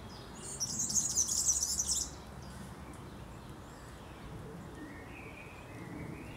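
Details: European serin singing in a Berlin graveyard: a rapid, high, jingling buzzy burst of about one and a half seconds near the start, followed by quieter faint chirps against steady low city background noise.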